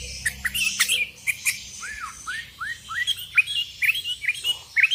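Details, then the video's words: Sooty-headed bulbul calling rivals, wild birds joining in: a series of arched, down-curving whistles repeated in quick succession among busy chirping and a constant high hiss. "Suara burung kutilang gacor memanggil lawan"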